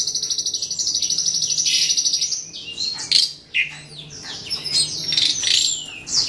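Asian pied starlings give a fast, even chattering trill, then a jumble of whistles, buzzy squeaks and sharp chirps. Possibly several birds calling.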